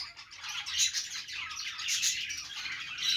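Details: Budgerigars singing on a perch: dense, fast warbling chatter of high scratchy chirps, clicks and squeaky notes running without pause, several birds overlapping.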